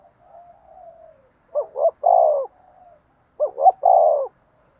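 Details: Spotted dove decoy cooing in a voice duel meant to attract wild doves: a soft low murmur, then two deep phrases, each two clipped hoots followed by a sustained, slightly falling coo.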